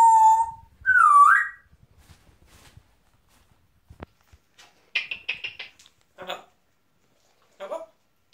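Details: Pet female African grey parrot indoors, described as mad and funny: a clear pure whistle held steady, then a higher whistle that dips and rises, followed by scattered short harsh chattering bursts and a few clicks in a quiet room.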